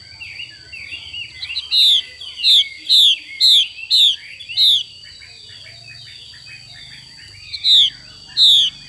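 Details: Female Chinese hwamei xùy call, six loud descending slurred notes in quick succession, a pause of about three seconds with soft chatter, then two more notes, over a low hum.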